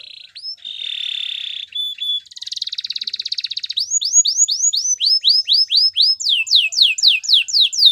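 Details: Belgian singing canary in full song: a sustained buzzy trill and rapid rattling notes give way to a fast series of bright, upward-sweeping whistled notes repeated about four per second, with no other sounds.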